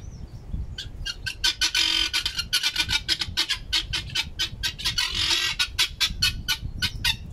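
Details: Pet guineafowl scolding their owner, loud and noisy: harsh, rasping cackles repeated in a fast, uneven stream, several birds overlapping into dense bursts around the middle.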